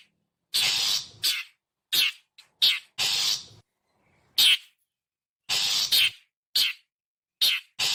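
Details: Long-tailed shrike call as a lure to attract birds: a rapid series of about a dozen raspy, buzzing notes, some long and grating, others clipped, delivered in irregular clusters with short pauses.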